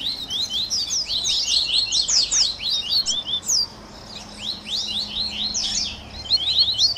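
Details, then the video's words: Double-collared seedeater warm-up 'baderninha' for getting captive birds singing: busy, high chirping and sliding whistles pile up in energetic runs, easing into a quieter pause before a fresh flurry of sharp notes. "Baderninha de Coleiro Top FAÇA SEU COLEIRO CANTAR em 30 Minutos - Esquenta de Coleirinho!"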